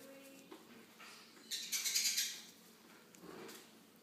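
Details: Hand-fed green-cheeked conure chicks begging indoors: a rapid run of pulsed, high, buzzy chirps rising in loudness for under a second, then a few softer squeaks.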